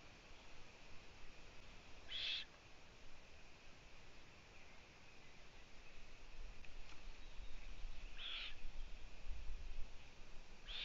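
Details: Young owls in a nest, the female missing for two days and two chicks wandering onto a balcony, produce three brief breathy hiss bursts spaced roughly six and two seconds apart against low background rumble.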